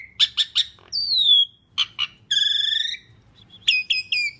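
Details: Asian pied starling singing loudly, used as a lure for other birds: a varied medley of short harsh chirps, a descending whistle, a nasal buzzy harmonic note and repeated bright squeaks, with pauses between phrases.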